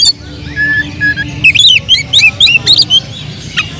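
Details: Oriental magpie-robin in agitated, full-emotion song used as a lure to provoke other birds: high, varied whistled phrases, rising and falling notes repeated in quick bursts, and a steady low hum underneath.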